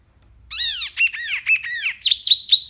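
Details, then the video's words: Loud "tembakan" burst from a mini wambi, recorded as tutor song for cage birds: a rich, harmonic downward-arched whistle, several ringing arched notes, then rapid high, sharp chips. "SUARA JERNIH TEMBAKAN WAMBI MINI"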